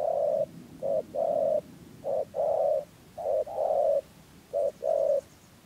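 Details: Spotted dove kept as a trapping decoy in Dak Lak, Vietnam, producing rùng gù coos: low hollow paired notes, a quick short one then a longer drawn coo, repeated regularly about once a second.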